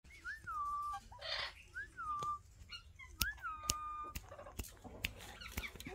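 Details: Pet Alexandrine parakeets sitting together indoors; clear whistled notes that rise, dip and hold level, repeated three times, broken by a short hissy burst and scattered sharp clicks.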